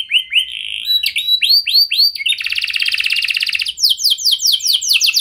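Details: Lure canary song for getting other canaries to reply: short slurred whistles, then a dense buzzing trill, then a quick run of sweeping down-slurred notes.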